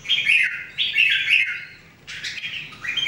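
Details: Red-whiskered Bulbul, one of three kept birds practising song daily: loud fluty warbles rising and falling, two phrases separated by a brief gap, then a fresh burst of liquid notes.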